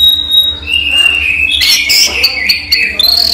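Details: Brief daytime song of a captive orange-headed thrush (raja teler): a thin held whistle, then a sweeping slurred phrase and quick high notes, over a faint constant hum.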